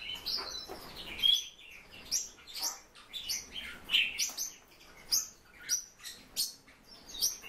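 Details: Silver-eared mesia kept as a pet bird, giving quick high chirps and short bright twittering notes in irregular bursts about every half second, some notes sliding upward, with faint rustling or wing movement between them.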